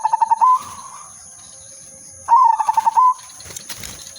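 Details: Silver udanmas zebra dove singing actively with a melodious rhythm, kept as a lure and decoy: two quick pulsed cooing phrases two seconds apart, each a rapid stuttering run ending in a drawn-out coo. A steady high electronic whine runs throughout.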